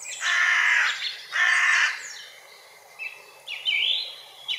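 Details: Hooded crow (Corvus cornix) uttering two long, hoarse, grating caws about a second apart, then quieter short calls and a few high chirps from other birds.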